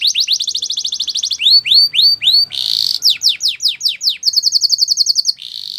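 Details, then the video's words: Spanish Timbrado canary singing a training song: a fast trill of sharp repeated notes, slower upswept whistles, a brief harsh burst, then a rapid even rattle-like trill and a steady tone. "Canary's Most Powerful Song For Training"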